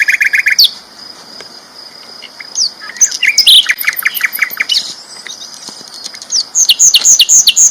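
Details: Sikatan londo flycatcher singing loudly: it opens with a short buzzy trill, then gives a jumble of high chirps and clicks, ending in rhythmic rising whistled notes.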